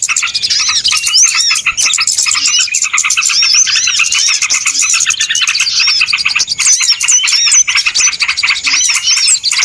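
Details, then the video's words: Dense chorus of many small birds used as a lure recording for trapping birds: continuous high chirps and upward-sweeping whistles overlapping without pause, with no other clear sounds. "SUARA PIKAT BURUNG RIBUT ANTI ZONK"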